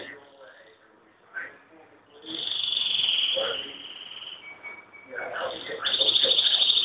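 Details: Pet canary singing again after its owner asks for one more song; a high, bright trilled warble comes in short bursts between the owner's coaxing speech, with a rapid buzzy trill at the end.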